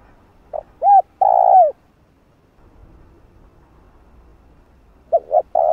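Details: Spotted dove giving its luring call for decoy training, with clipped coos and one long, swelling coo, then silence before the phrase starts again with quick notes.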